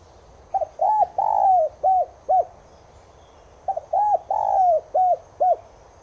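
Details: Two full coo phrases from a Spotted dove of race tigrina, broadcast to caged doves to make them respond: each a stuttering start, a long drawn coo and three short arched notes, the phrases about three seconds apart.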